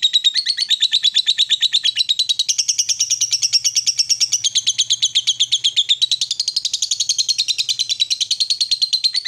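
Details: Long ngekek chatter of a female fighter lovebird, played to provoke rivals: over nine seconds of relentless fast, grating pulsed notes wavering in pitch, with a faint low hum underneath in the middle.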